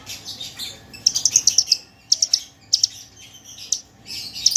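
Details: Song of a parva Javan bush lark used as a training model: short clusters of sharp, high ticking notes in quick groups of three to six, separated by brief pauses over soft background hiss.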